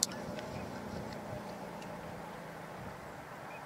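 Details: A steady, even wash of outdoor noise with faint scattered ticks, like distant traffic, and no animal voice.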